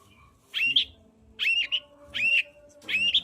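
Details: Long-tailed shrike song for provoking a quiet shrike: four similar whistled phrases, each a rising slur into a held note, repeated about every 0.8 seconds.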